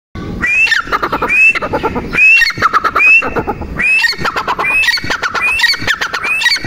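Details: Female grey francolin (teetar) calling: loud, rising whistled notes repeated steadily, each wrapped in harsh, clicking squawks, forming a shrill, rhythmic series of about seventy phrases a minute.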